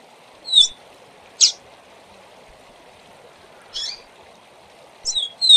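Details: Double-collared seedeater performing its SIL SIL ZEL ZEL tutor song for young birds to learn. Isolated sharp whistled and buzzy notes fall singly, then a doubled slurred note comes at the end, over a faint constant background hum.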